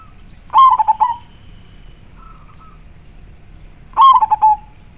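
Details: Two clear, strong coo bursts from a local zebra dove kept as a decoy for wild doves, each a loud note followed by four or five fast throbbing pulses, spaced about three seconds apart, a soft short trill in the gap.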